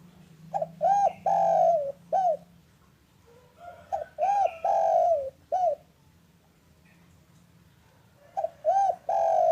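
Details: Local spotted dove calling in the afternoon, a recording meant to get lazy doves calling: three repeated coo phrases about three seconds apart, each of short, short, long, short notes, with a steady low hum.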